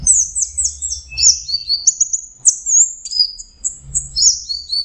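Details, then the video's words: Orange-headed thrush (anis merah) giving a melodious song: a fast, varied run of high whistled and chirping phrases, with sliding notes and short trills tumbling one after another almost without pause, over a faint low rumble. "Burung anis merah jenis burung kicau mahal dan suaranya merdu"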